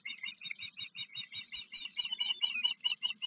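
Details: Ospreys on a river nest in Maryland one July 2022 afternoon, three young present including a fledged visitor from a neighbouring nest. A steady run of sharp, whistled chirps repeats about three per second, growing louder and busier toward the end, over faint hum.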